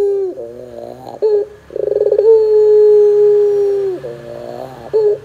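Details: Lure song of a pelung ringneck dove for coaxing doves to sing: a brief coo and rattle, then a stuttering pulsed trill rising into one long, smooth, low coo lasting nearly two seconds, another rattle at the end.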